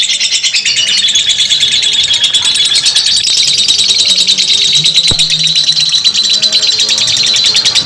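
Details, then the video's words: Lovebird ngekek panjang, a long unbroken chatter used as training material for other lovebirds: a dense, fast, buzzy trill of high chirps running throughout, with faint low droning tones and a single sharp click underneath. "simuasi lovebird ngekek panjang"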